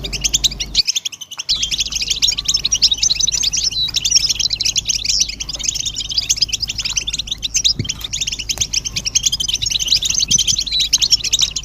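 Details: Collective European goldfinch twitter, described as the strongest stimulation calls for males: a dense, nonstop wash of quick high tinkling notes, with a short near-silent gap around one second, over a low hum.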